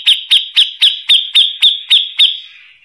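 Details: Grey-cheeked bulbul, a harsh-voiced bird used to tutor magpie-robins, giving nine crisp, downslurred notes spaced about a quarter second apart. The final note trails off into a fading tail.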